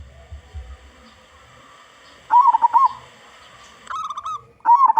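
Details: Local zebra dove song meant as a lure for other zebra doves: after a quiet start with faint low rumbling, a bubbly warbled coo, a brief flat coo series, then another rippling coo.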